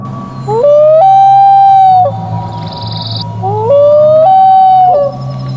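A common loon gives two long, mournful wails, each sliding up and then holding a steady, haunting tone for over a second, over a low background hum.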